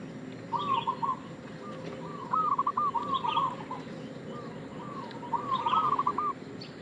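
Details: A local zebra dove calling to lure others: a few spaced, soft stuttering coo phrases, then a fuller rolling phrase with a rising end, against a steady noisy background.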